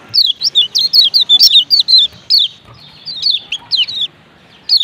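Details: Lombok lemon-bellied white-eyes, male plus female, making 'ciak ciak' calls that are meant to start other white-eyes singing: quick sequences of high, downward-sliding chirps, a short pause, then a further run.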